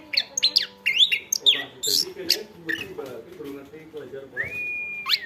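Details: Chestnut-backed thrush singing vigorously, offered as a tutor recording for other birds: a rapid jumble of high whistled notes, sharp rising and falling slurs, and buzzy chips, ending in a long, level whistle and a quick upward flick, over a low background murmur.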